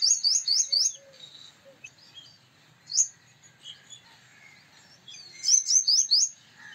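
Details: Male purple sunbird with quick bursts of high, sharp, upswept metallic notes at the start and end, separated by scattered softer chirps and a single loud note.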